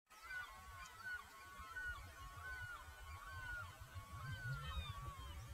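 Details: Great black-backed gull at Jülich, Germany, giving a run of hoarse, slightly descending calls, roughly two a second, over a steady low rumble of wind or distant traffic.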